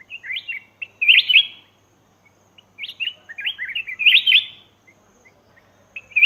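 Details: Black-crested bulbul sound for luring wild birds: cheerful whistled phrases with quick zigzag notes, grouped in bursts separated by short silences, ending with a fresh phrase.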